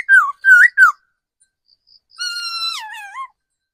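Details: Decoy laughingthrush, an old wild-caught bird, gives three quick slurred whistles. A short gap follows, then one long, drawn-out whistle that holds level before dropping and ending in a small upturn.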